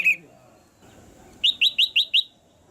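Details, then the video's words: Caged female red-whiskered bulbul calling to stimulate a male to sing harder: one high chirp at the start, then a quick run of five bright, slurred chirps after a quiet pause. "นกหัวจุก birds - เสียงนกตัวเมียในกรง กระตุ้นให้นกตัวผู้ร้องหนักขึ้น"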